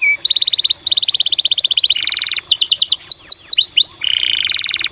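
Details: Canary song used to stimulate other canaries into singing: rapid buzzy rolled trills on steady pitches, followed by a series of sweeping whistled notes and another fast trill.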